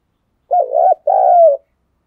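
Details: Spotted dove uttering a stimulating coo meant to set other doves cooing: a wavering hollow note, a brief gap, then a drawn-out steady hoot that gently drops in pitch, clean and without background noise.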